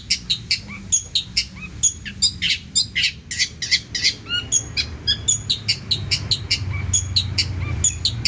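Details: Cendet (long-tailed shrike) in full song with abundant isian: dense chattering of short, high notes interrupted by occasional down-slurred whistles, over a soft low rumble.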